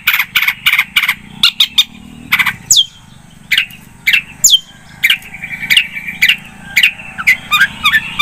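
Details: ['Long-tailed shrike singing in a lively lure recording: loud harsh rasping bursts alternate with sharp whistled down-slurs and short chirps, delivered in quick irregular runs over a faint low hum.']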